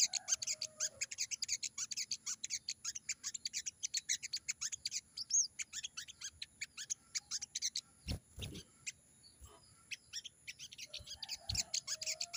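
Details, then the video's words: Sogon singing in wild style: long run of fast, high, scratchy chirps at a steady rapid rhythm, breaking off midway with a few loud thumps, then resuming near the end. "burung sogon gacor banget!!bunyi sogon ngalas"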